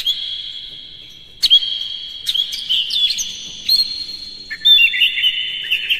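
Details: Lure song of the kacer, or Oriental magpie-robin, played to make other birds sing aggressively: after a quiet tone, rich varied phrases of whistles, slurs and scratchy chirps, shifting pitch between high and lower bands.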